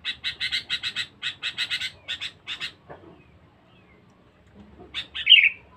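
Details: Sooty-headed bulbul kept as a fierce, talkative lure bird: a rapid run of about twenty harsh chattering notes in groups, a pause, then a loud bubbly whistled phrase.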